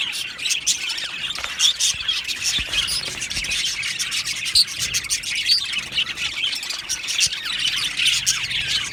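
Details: Budgerigar colony in an aviary keeps up a continuous, even chorus of high chirping and twittering, countless short notes running together, with a few brighter whistled peeps standing out.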